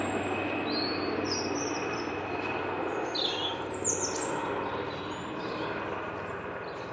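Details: European robin singing as a low-flying helicopter passes directly overhead; thin, high, varied warbled phrases rise above a loud, steady roar of rotor and engine noise.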